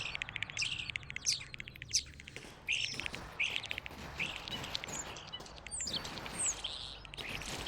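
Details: Original recording of European starlings, later used for game creature sound design: quick, varied bursts of high whistles, squeaks and dry clicks, several per second, over a faint low hiss.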